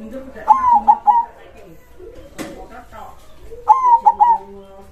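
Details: Local zebra dove (perkutut) singing with a large voice, krosing style: two clear cooing phrases, a sliding first note and two short beats, separated by a sharp knock and indoor noises.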